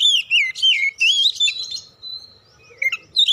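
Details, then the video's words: Oriental magpie-robin lure song meant to get birds singing: fast, loud, swooping whistles about three a second, fading into a long thin whistle and a final sharp note. "PANCINGAN KACER BUKA PARUH GACOR NGEPLONG BONGKAR ISIAN"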